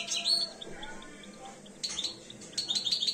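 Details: European goldfinch, two years old, beginning breeding condition, uttering a high twittering burst, a run of soft chips, then quick tinkling notes.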